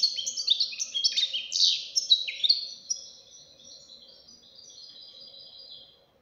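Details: European goldfinch fledgling in strong song; fast jumbled twittering of high chirps and trills for three seconds, fading into a softer, thinner warble that tapers off.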